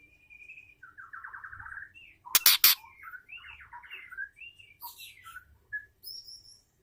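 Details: To stimulate a male, a female white-rumped shama gives a thin whistle, buzzy trilled phrases, two loud harsh rasps, then assorted warbled and chattering notes with high squeaky whistles.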